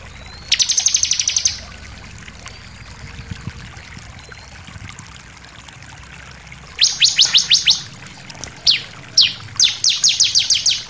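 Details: Sunda pied fantail (ciblek) in 'nembak ngotot' shooting song with variations, used for tutoring captive birds: a rapid chattering burst of high notes, a pause, then several more quick repeated bursts and single sharp notes.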